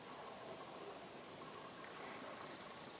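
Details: Waxwing calling in the Urals: a very high, thin, buzzing trill arrives in the last half-second, preceded by fainter high notes, all against constant rushing background noise.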